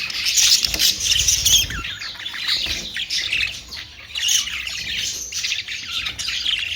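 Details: Australian parrot (budgerigar) flock giving dense, overlapping high chirps and squawks. A low rumbling thump in the first two seconds sits under the calls.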